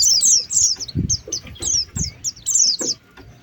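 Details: Oriental white-eye luring calls, clear high descending chirps given in short groups, with a few soft thuds in the background.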